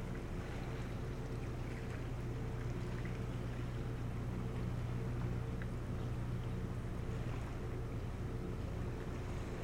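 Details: Low rumbling motor noise, like a boat or vehicle, dominates, with steady hum and faint scattered ticks but no clear animal voice.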